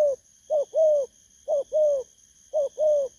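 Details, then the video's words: Spotted dove, a wild-caught 'bầu'-type bird, gives three clear two-note coos about a second apart, short then long and rounded, with a faint high constant tone behind. "Thổ cấn Bầu"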